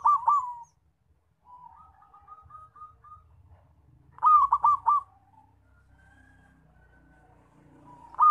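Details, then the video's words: Zebra dove with a loud call, kept for luring and trapping. Bursts of rapid rolling coos alternate with a soft, even series of short notes. A faint low rumble sits underneath. "PERKUTUT SUARA KENCENG BAGUS BUAT PANCINGAN DAN PIKAT"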